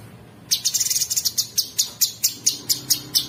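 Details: Sooty-headed bulbul masteran with coarse, rapid 'ngebren' filler for training songbirds. Brief quiet, then a burst of quick high chips that settles into evenly spaced sharp buzzy notes about every quarter second.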